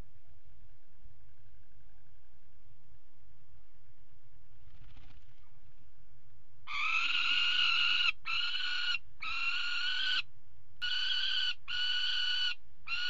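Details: Peregrine falcons mating on a water tower ledge, nest-box camera, 5 February 2018: several seconds of low crackling rumble, then loud sustained harmonic wails in repeated long bursts separated by brief gaps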